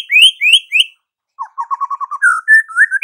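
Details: Murai batu, the white-rumped shama, in full song: three quick rising whistles, a pause, then a low chattering trill that slides up into drawn-out fluting whistles. No background noise.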